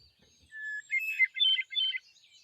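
Hermit Thrush song: a long, pure whistled opening note, then a cascade of higher, fluty, ethereal phrases that swirl and echo, with no harsh ending.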